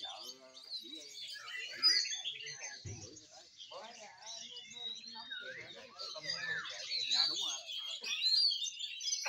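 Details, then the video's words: Several Oriental magpie-robins sing at once in a dense, overlapping chorus of bright whistles, trills and scratchy notes, with people talking in the background. "Cội hôm nay chòe than nhìu"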